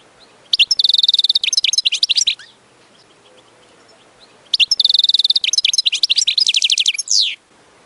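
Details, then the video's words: Goldfinch singing as a tutor for young or training birds: two bursts of rapid, sparkling twitters and buzzy trills, each about two seconds, separated by a pause of roughly two seconds, with faint background hiss. "The Empowering Song of the Goldfinch"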